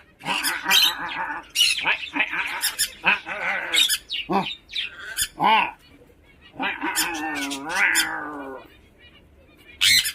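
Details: Tame pet Swainson's lorikeet, angry and being egged on to fight, gives harsh, grating screeches in rapid bursts of a second or so, one drawn-out and wavering, with a person's voice nearby.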